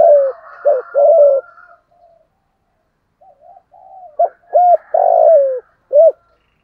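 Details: Spotted dove kept as a lure bird, giọng thổ voice: clipped coos and a drawn-out falling note, with soft quiet murmurs in between, then another burst of short coos and a long coo.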